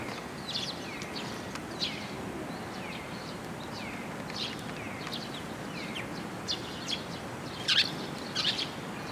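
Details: At a Tenmangu shrine, 1 June 2022, young Eurasian tree sparrows seek food on a post. Falling high chirps repeat irregularly, ending in a louder cluster of notes.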